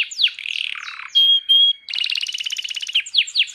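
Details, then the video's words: Canary held in the hand, singing in a fast mix of downslurred whistles, buzzy rattling trills and two clear sustained pure notes, with sweeping chirps at the end. "kenari gacor di tangan"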